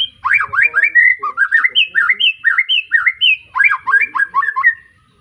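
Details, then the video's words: Kept White-rumped shama of Arko Tangerang lineage from Petarukan, Pemalang, freshly moulted out of juvenile plumage, delivering loud clear whistled phrases: swooping slurred notes, a row of evenly repeated high whistles, then a rapid falling flourish. "Kicau Murai batu lepas trotol,suaranya heboh"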